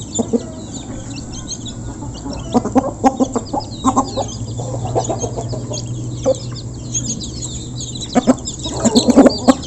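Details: Local chickens, a flock clucking while being fed, recorded up close: scattered short clucks and bursts of squawks, busier toward the end, over a steady low hum.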